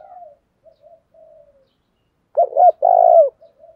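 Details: Spotted dove decoy calling in the 'thúc đấu' challenge style: soft faint murmurs, then one loud low phrase of two short hoots and a long buzzy coo near the end.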